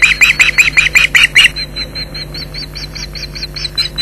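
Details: Ospreys calling in alarm at their Loch Garten nest in Scotland, 15 July 2011, as an intruder persists, recorded by a live nest camera; a fast run of loud, high, sharp yelps, slightly rising, then fainter thinner whistled notes continuing, with a low electrical hum.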